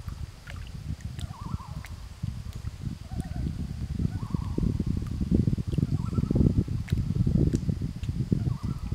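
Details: Loon calling in answer to other loons: short wavering, tremolo-like notes at mid pitch, given about five times at uneven intervals of one to two seconds, over heavy low rumbling and rustling noise close to the recorder.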